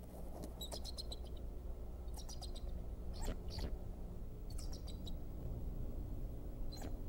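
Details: Male bald eagle at the Decorah nest giving an alert on 26 February 2014, possibly while pursuing an intruder, shortly after the first egg was laid. Bursts of high, sharp chittering notes repeat across the clip over a constant low rumbling hum.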